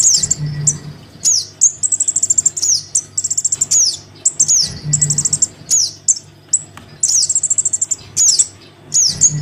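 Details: Crimson sunbird chick calling its parent, a lure for sunbirds reluctant to come down: very high, thin rapid chittering trills and sharp downward-sweeping notes in bursts, with short pauses between them and a faint low hum beneath.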